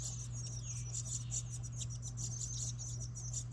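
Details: House wren nestlings in a recycled license plate birdhouse outside a New England home, fed by a parent carrying a worm. Thin, high squeaky chips come in rapid overlapping bursts over a steady low hum.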